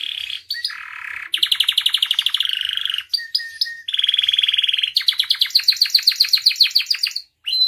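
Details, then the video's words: Gacor canary song full of isian for masteran and pancingan use: shifting rolls and fast rattling trills, a lower churring phrase, a short flat whistled run, then a rapid rising series of sharp notes. "MASTERAN DAN PANCINGAN KENARI GACOR FULL ISIAN"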